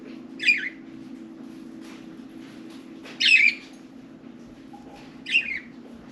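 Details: Caged budgerigars, four birds playing and talking inside and on top of their cage indoors; three short harsh chirps spaced about two seconds apart over a low steady hum.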